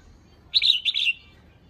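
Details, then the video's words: Female red-whiskered bulbul, calling to stir up males, one short burst of bright, quick chattering notes in two linked phrases. "เพลงเรียก!! เสียงยนกกรงหัวจุกตัวเมีย ยั่วให้นกคึก"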